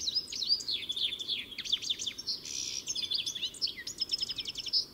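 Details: European goldfinch singing: a fast, dense run of high twittering notes, sharp rising and falling chirps mixed with short buzzy trills, delivered almost without pause.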